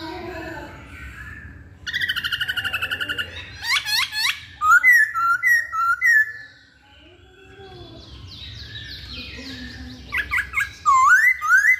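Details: Hwamei pouring out a mixed song: a dry buzzy trill, sweeping slurs, a run of short bouncing whistles, a lull, then looping whistled notes again.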